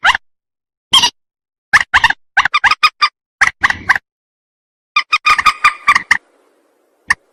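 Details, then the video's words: Lure recording of a rail for trappers: choppy, nasal notes in irregular bursts of two to six, broken by clean pauses, ending with one isolated note. "Suara pikat burung mandar"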